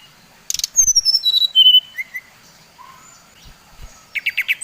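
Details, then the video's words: Lure song of a Bali-type brown-chested jungle flycatcher, used to make rivals agitated: a cascade of falling pure whistles, a few low slurred notes, then a quick series of short repeated chips. "Suara SRDC Bali Paling di sukai srdc lain | Pancingan Srdc bikin srdc lain naik emosi"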